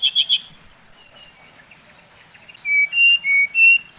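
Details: Bali-type brown-chested jungle flycatcher singing to provoke its kind: a quick buzzy trill, a descending chain of high whistles, a pause, then four steady level whistled notes.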